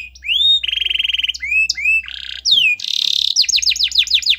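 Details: Actively singing canary, a lure for a canary reluctant to sing: rising whistle, fast even rattle, short upslurs, a harsh buzzy burst, a rising sweep into a loud trill, then quick falling notes.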